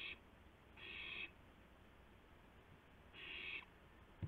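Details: Owl on a live nest camera, 2:51 AM on 2 April 2016, as a gopher is delivered to another owl; raspy hissing screeches separated by a two-second gap, ending with a brief knock.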